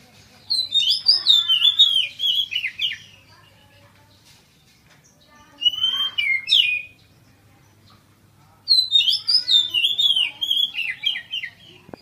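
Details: Caged Oriental magpie-robin, nursed back from severe cataracts in both eyes and now fully recovered, singing openly again in the full 'ngeplong' style: three loud bursts of rapid, sweet, warbled whistles with descending twists, separated by short pauses.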